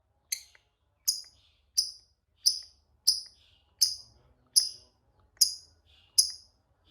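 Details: Lovebird giving sharp, high, downward-sliding chirps, one roughly every three-quarters of a second, each clean and separate against a quiet background.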